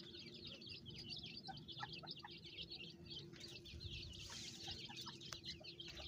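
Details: Francolin mother calling her chicks on a farm: many high, thin peeps in quick overlapping bursts, occasional short lower clucks, a brief rush of noise midway and a steady low hum underneath.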